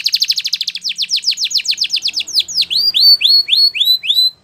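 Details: Belgian canary singing for canary training: a fast run of clear, downward-sweeping whistled notes that slows into a series of louder, separated rising-then-falling notes, each repeated evenly, with no other sounds.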